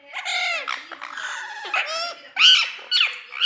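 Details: Parrot kept as a pet calling with raspy, drawn-out squawks and sharper screeches in quick succession, some notes sliding down in pitch.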